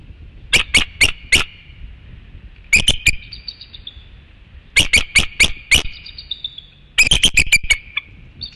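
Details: A newly hatched Bald Eagle chick, still wearing part of its eggshell, gives thin, high cheeps in quick bursts of four or five, with short pauses and faint rustling, at night on infrared nest camera, Hanover, 28 March 2016.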